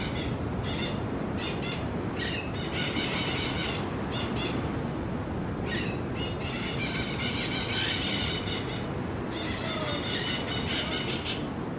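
Crimson-fronted parakeets give harsh, grating screeches in quick bursts, several birds calling together over a steady low rumble of background noise.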